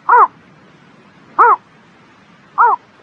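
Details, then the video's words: Three arched, harmonic notes from a bird on a spring morning, spaced a little over a second apart, each short and full-toned, in a quiet setting. "Singing Bird in the Spring Morning"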